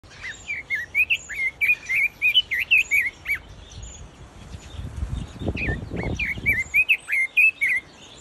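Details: Pekin robin (red-billed leiothrix) in an aviary sings two bursts of quick, fluty warbled notes, rising and falling, with thin high chips from other birds above and a brief low rumble between phrases.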